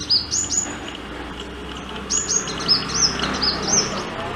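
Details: A sunbird's courtship song: high, thin, quick sharp tsip notes in brief bursts, over a low background hum.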